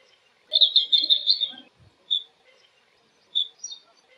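A blue-cheeked bee-eater gives a rolling, burry trill followed by a few shorter liquid notes in flight.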